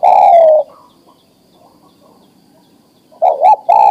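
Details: Adult male spotted dove ready to mate, calling a female: one long husky falling coo, a silent gap of nearly three seconds, then a doubled short coo and a sustained coo.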